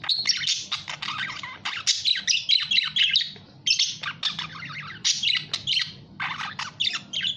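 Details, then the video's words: Busy budgerigar warbling, a dense run of squeaky, buzzy chirps and harsh little squawks in long phrases broken by brief pauses, over a soft low background hum. "SUARA BURUNG PARKIT"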